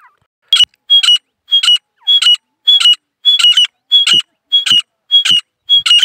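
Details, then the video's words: Three grey francolins, two females and one male, calling together: loud, shrill, harsh phrases repeated quickly, about eleven in six seconds, their voices overlapping into a fast chorus. "دو مادہ ایک نر تیتروں نے مل کر 100 سپیڈ کی بولی لگائی"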